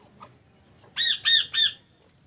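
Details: Chukar, male and female pair: three loud harsh squawking notes in quick succession, each with stacked bands, following faint softer notes and a man's speech before and after.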